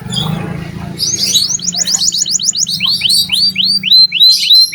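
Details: Canary singing to encourage juvenile canaries: quick sliding high notes build into a string of evenly spaced falling swoops over a faint low hum.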